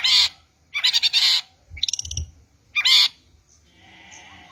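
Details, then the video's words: Long-tailed shrike song used to attract shrikes: separate bursts of loud harsh, grating chatter with short silent gaps, ending in a faint thin whistle. "PANCINGAN MASTERAN PIKAT BURUNG CENDET"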